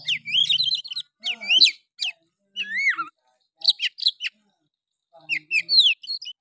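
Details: Oriental magpie-robin delivering a harsh, lively song intended to excite other males: short bursts of warbled whistles and curving slurred notes, separated by pauses, over a faint low hum.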